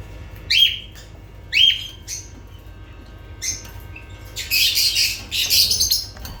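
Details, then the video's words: Lovebird calls: two clear shrill rising-then-level shrieks about a second apart, a quiet pause, then a harsh buzzy squawking burst toward the end. "Sounds of lovebirds"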